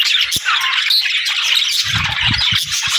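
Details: Budgerigars, or parakeets, chattering and singing: a dense, continuous warble of scratchy chirps and squeaks with no pauses, and a few low thumps near the start and in the second half.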